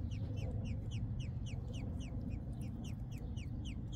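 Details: American robin nestlings being fed by a parent beg with thin, high, down-slurred peeps, several each second in a steady stream, over a deep continuous rumble.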